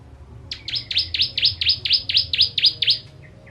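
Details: Bar-winged prinia (ciblek) singing a sharp 'tembakan' style burst, used as a tutor recording for training songbirds: about a dozen rapid, high, downward-sweeping chips, roughly four per second, evenly spaced, ending with two faint softer notes.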